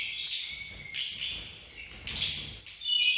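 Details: Mountain tledekan birds, several of them agitated on meeting and competing in strength and quality of voice: high, sustained shrill whistled notes overlapping, with abrupt pitch shifts and continuous bright trills.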